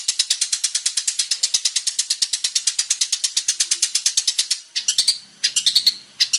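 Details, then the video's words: Long-tailed shrike, a male in varied song: a rapid rattling series of dry, clicking chatter notes for several seconds, followed by a few scattered higher squeaks. "PANCINGAN BURUNG CENDET GACOR BANYAK VARIASI"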